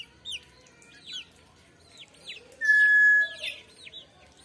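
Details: Brown tinamou producing one loud, even whistle of about half a second after scattered high chirps from other small birds in a quiet setting.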